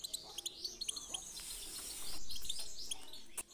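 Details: European goldfinch song for training birds to sing: quick high tinkling chirps and a rolling twittered phrase in the middle, ending with sharp clipped notes, against low rumbling background noise.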